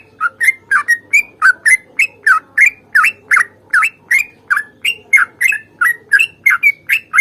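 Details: Sooty-headed bulbul, in a lively fighting song with a long roll: an unbroken run of short, bright, slurred chirps, each rising or falling, delivered about three per second over several seconds against a quiet background.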